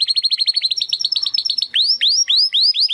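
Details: A Belgian canary sings a fast, even trill of short chirps, then switches to slower, looping upward-swept whistles repeated about four times per second.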